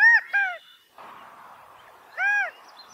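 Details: California quail mating calls: two loud, arched, nasal notes in quick succession, a stretch of soft rustling noise, then one more drawn-out arched note.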